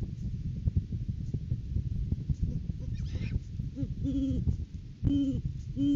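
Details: Great horned owls in courting season at their nest tree on January 9, 2023, live camera: a short squeal, then a series of deep, clear hoots that grow louder toward the end, over a steady rumbling background.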